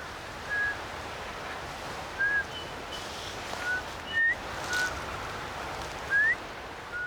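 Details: A Eurasian bullfinch in a backyard in Korea in winter, feeding on berries, gives soft, piping whistles, some level and some gently rising, about eight irregularly spaced notes over several seconds, with faint background hiss.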